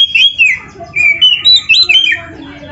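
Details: Oriental magpie-robin song, full-isian training recording: a fluid run of varied whistled phrases, some rising and some falling, with a few buzzy, twisting notes and short pauses between them.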